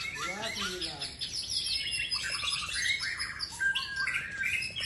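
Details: Champion white-rumped shama pouring out rapid high twitters and short whistled notes, closely packed and varied, with a faint low rasping sequence at the start.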